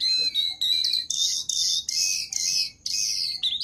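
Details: Jongkangan bird singing for use as a training master: repeated loud, harsh, buzzy high notes, each lasting about half a second, with brief breaks between them and a closing twitter.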